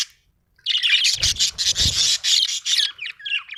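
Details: Budgie giving a loud, dense burst of rasping, buzzy chatter in rapid pulses, easing into softer twitters at the end.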